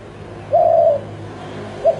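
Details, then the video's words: Spotted dove giving a single low, steady coo lasting about half a second, followed by a brief shorter note, over a soft background hum. "SUARA EMAS BURUNG TEKUKUR"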